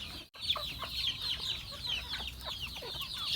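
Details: A farm flock of chickens at feeding, with bright, high cheeps piling up rapidly after a short silent gap at the start, some louder calls standing out.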